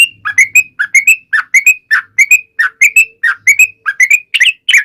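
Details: Yellow-vented bulbul song, used to make bulbuls reply; paired liquid whistled notes repeated in a quick rhythm, each pair dipping then rising, with a faint low hum beneath.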